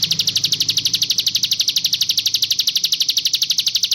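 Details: Sunda warbler in a tutor recording of song variants, giving a continuous, even, high-pitched rattling trill of rapid pulses, about twelve a second, over a faint low hum.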